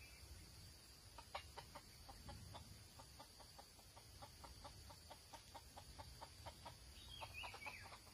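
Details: Red junglefowl, recorded on 6 March 2020 while being trapped. A long run of quick, even clucks repeats several times a second for about six seconds, then a brief high chirp. Steady insect hiss continues behind it.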